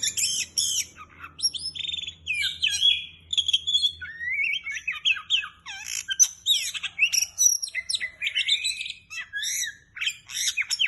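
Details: Oriental magpie-robin singing very vigorously, a dense run of loud whistled notes, sweeping slurs and harsh chattering phrases, high-pitched and nearly continuous for eleven seconds, with a faint low hum underneath.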